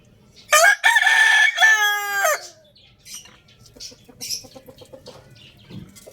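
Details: Rooster crowing in the morning: one loud, harsh, harmonic crow in two drawn-out parts lasting about two seconds, followed by softer clucks and scattered clicking noises.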